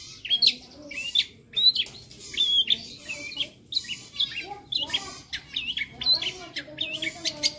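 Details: Long-tailed shrike in a lively tutor song: a varied run of high chirps, twisting whistled notes and short scratchy phrases, delivered in quick irregular bursts.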